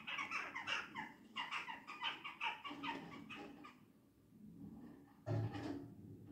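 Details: Several jackdaws arriving at a feeder on 16 December 2022 give a rapid run of short, sharp 'tchak' calls, overlapping for about four seconds before fading, then a dull knock.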